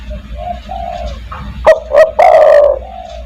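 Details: Spotted dove calling in 'kuk 1' style to attract other doves: faint soft coos, then a loud phrase of two quick short notes leading into a long, buzzy, steadily falling coo.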